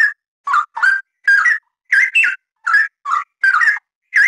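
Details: Straw-headed bulbul song, a steady run of about ten loud, fluty warbled phrases with bubbling, rising and falling whistles, each separated by short gaps; no other sounds.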